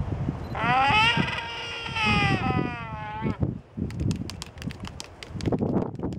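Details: During a mating ritual with synchronized head-swaying, a waved albatross couple on Española Island, Galápagos, in August 2011 gives a long, nasal, wavering three-second moan, then sharp dry bill clacks, with low wind and faint voices.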